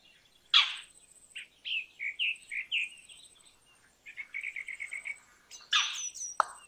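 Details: Indian roller calling: a harsh grating burst, then a string of short chattering notes, a fast rattling series, and more rasping squawks at the end.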